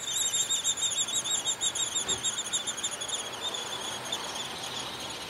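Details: Downy woodpecker nestlings in a tree hole in spring, being fed by both parents, give a steady, high, thin squeaking chorus pulsing about three times a second without a break, over faint hiss.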